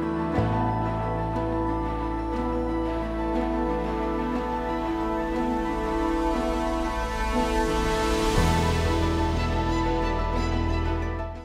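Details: Soft, sustained instrumental music with held tones and no animal calls.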